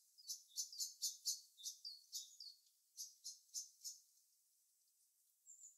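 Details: Birds in natural habitat giving quick high chirps, several notes in a row, a short gap, then four more evenly spaced chirps before fading into a faint hiss.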